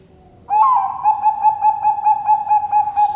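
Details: Captive zebra dove from a bird farm in Sidoarjo, East Java, Indonesia, cooing in a soft, mellow series of rapid pulsing notes, about four to five per second, on a steady low pitch.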